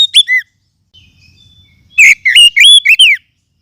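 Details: Forest oriental magpie-robin lure sound for training other birds: a brief whistled note pair, a soft thin pause, then a loud run of sharp chirps and fluty rising and falling whistles.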